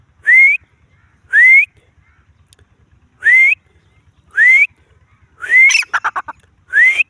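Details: Grey francolin uttering single loud upslurred whistles at irregular intervals of one to two seconds, with one whistle run into a rapid string of harsh clipped notes near the end.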